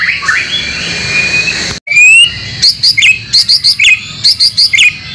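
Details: Singing recording for training caged white-rumped shama: a long upslurred whistle, then a strongly rhythmic series of bright, identical double notes repeated about three times per second.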